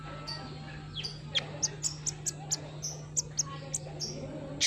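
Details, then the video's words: Olive-backed sunbird lure sound: evenly spaced, thin high chips about three per second, some with a slight downward slur, above a steady low electrical hum. "suara burung kolibri"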